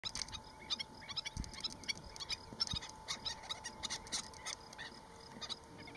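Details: Baby black-necked stilt chicks in Woodland, California give quick, thin, high peeps in irregular bursts, several a second, with a faint steady hum and a few low thumps behind.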